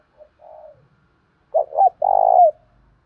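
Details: Spotted dove lure calling in thổ pha style; a faint, distant coo comes first, then a loud close phrase of two short coos and a long trembling coo that drops at the end.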